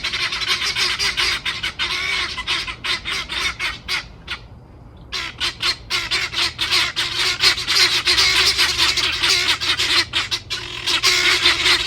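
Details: Helmeted guineafowl, known locally as capote or galinha-d'angola, calling loudly on a farm: dense harsh, rasping broadband cries repeated rapidly, about four per second, with a brief pause midway and several birds overlapping.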